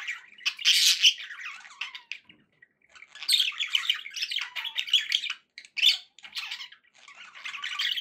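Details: Pet budgerigars chattering happily, a busy stream of scratchy warbles and squawky chirps in bursts with short pauses, one brief gap near the middle.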